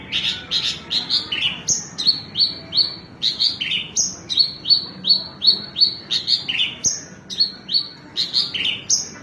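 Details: Horsfield's bush lark singing a lively run of short, high whistled notes. Many drop in pitch and come in quick, uneven groups, nearly three a second, over a faint background hiss.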